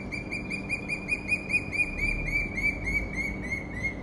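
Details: Senegal thick-knee in Cairo giving a fast run of high, piping notes, about five a second at an even pitch, over a low background rumble.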